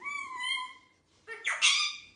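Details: Pet ringneck parakeet indoors calling noisily: a drawn-out harmonic tone followed by a loud harsh rising screech, with a person speaking nearby.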